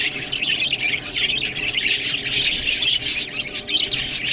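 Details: Budgies eating green food produce a rough, rasping chatter of high chirps and warbles, nearly unbroken, with scattered sharp clicks.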